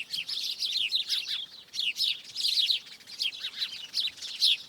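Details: A tree full of singing birds gives a busy stream of sharp, high tweets and short descending chirps. Phrases overlap and come in bursts that swell and fade every second or so, over a quiet background.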